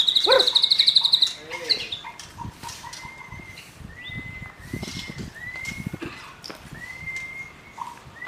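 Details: Wild young white-rumped shama singing loudly in forest: a fast rattling trill of rapid repeated notes opens, followed by spaced, clear, slightly rising whistles.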